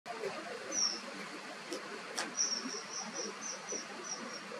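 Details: A kingfisher, one of a calling pair, gives thin, very high whistled notes, one early and then a quick series of short piping calls, over a steady hiss of background noise; Japan.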